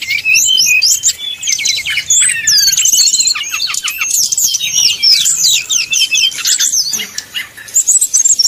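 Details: Srdc bird singing a fast lure song to provoke rival birds. A high, packed sequence of chattering trills and rapid rattling note runs, with a short quiet gap before the final whistles.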